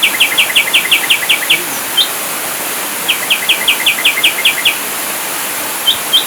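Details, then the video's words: Ashy drongo song for bird training: two quick runs of about eight clipped, evenly spaced notes each, separated by single higher notes, over a steady background hiss. "Masteran Burung Sriguting Abu2 Full Tembakan"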